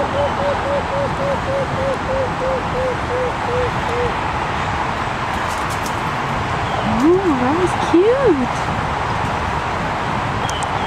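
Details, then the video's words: Endangered Mariana fruit dove calling close by in the Northern Mariana Islands gives a run of about a dozen soft, evenly paced, slightly falling hoots over a steady rumble, followed by two swooping, wavering sounds. "Call of Mariana Fruit Dove"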